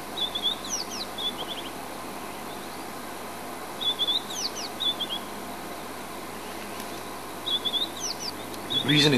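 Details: Territorial song of a White-browed Scrub-robin sitting in a buffalo thorn at Djuma, South Africa: three similar phrases of high whistles and quick down-slurs, about every three and a half seconds, with a brief rattling noise at the end.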